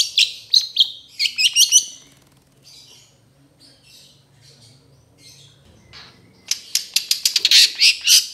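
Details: Cendet, the Long-tailed Shrike, in trotol-style training song: a tight cluster of scratchy high chirps, a quiet stretch of faint twittering, then a fast, loud rattling volley of chips.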